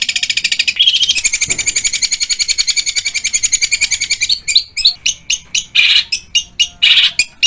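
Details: Long-tailed shrike training song rich in fast mimicry rolls. A long, rapid, high-pitched chattering roll gives way to separate loud, harsh chips and bursts spaced irregularly through the second half.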